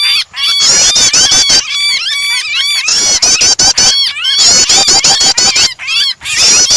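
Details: Prinia mixed with a distressed bird as a starter for making other birds sing; dense high squealing notes that rise and fall, with sharp clicking ticks threaded throughout and a few abrupt breaks.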